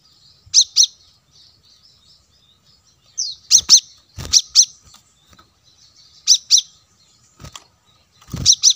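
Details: Plain-throated sunbird lure recording for drawing in wild birds: sharp, high double chirps in short bursts with faint, thin twittering between them and a few low thuds.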